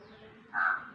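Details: A crow gives one harsh, nasal caw of about a quarter second against a quiet outdoor background, heard while an overgrown house yard is being cleared, with crows noted calling nearby.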